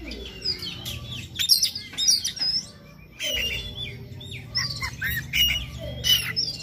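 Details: Morning Oriental magpie-robin song used as a prompt for another bird to sing: busy, overlapping whistled notes and slurred phrases over a steady background hiss and low rumble.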